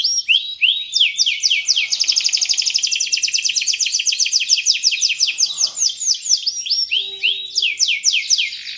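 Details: Canary in full song, used as a lure for young birds: fast rolling trills of high sweeping notes, a long rapid run of about four notes per second, then looping downward-curved phrases; a faint low hum near the seventh second.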